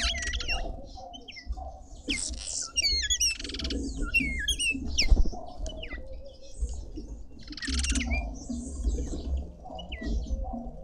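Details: Red-winged starlings feeding in a Pretoria garden in South Africa give a busy run of slurred, swooping whistles, with scratchy bursts and a low rumble in the background.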